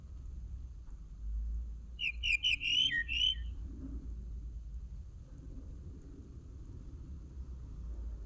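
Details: Common linnet singing one brief burst of rapid, chattering high notes that ends in a short downward whistle. Several seconds of quiet follow, with a steady low rumble throughout.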